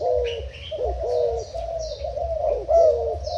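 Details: Spotted dove kept as a Thai-type decoy bird, recorded 10/04/18, giving low mellow coos that bend and dip, several linked phrases in quick succession, with faint higher bird chirps and a low steady hum behind.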